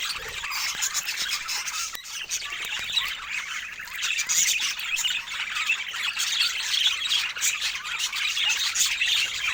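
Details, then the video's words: Continuous budgerigar warbling, a dense mix of raspy chirps, squeaks and short whistled notes, layered as from a group of birds, unbroken over nearly ten seconds. "2 Minutos Para Animar Seu Periquito com Energia e Boas Vibrações"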